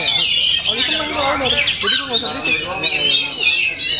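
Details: Oriental magpie-robin in full-power, full-fill singing: a dense, unbroken stream of high whistled notes, sharp chirps and scratchy squawks, with people's voices murmuring beneath.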